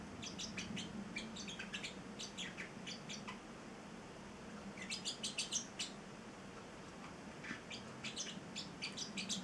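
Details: Eight-week-old pet male Celestial parrotlet chirping in bursts of rapid, high-pitched notes with pauses between groups, over a steady low indoor hum.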